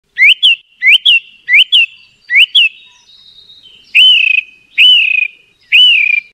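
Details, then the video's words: A song thrush (Turdus philomelos) sings a clear, upslurred two-part whistle four times, then switches to a fuller, ringing phrase repeated three times, each phrase about a second apart. "Song Thrush Bird Sound"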